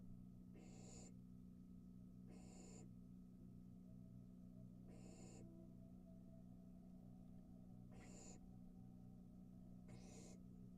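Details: Young barn owl at its nest entrance, swallowing a mouse whole on the porch, picked up by a nest camera: five harsh, breathy hissing screeches of about half a second, one every two seconds, over a steady electrical hum.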